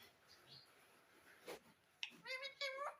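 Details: Pet parrot giving two short, harsh, harmonic squawks in quick succession near the end, after a faint voice and a sharp click.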